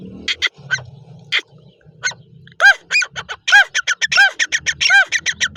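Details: Partridge (teetar) giving a quickening series of ringing, rising-and-falling harmonic calls that grow louder and more rapid toward the end, over a low background rumble.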